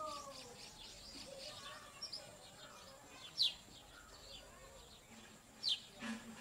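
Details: A purple sunbird feeding its chicks gives two bright, high, downward-sliding chip notes a couple of seconds apart, amid soft background chatter and faint twittering.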